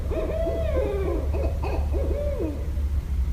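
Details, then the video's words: Barred owl calls recorded in Westchester, New York, 5.1.17; a string of arched, wavering hoots, several quick clipped notes in the middle, ending in one long downward-sliding hoot, with a low background drone. "Barred Owl Calls (New York)"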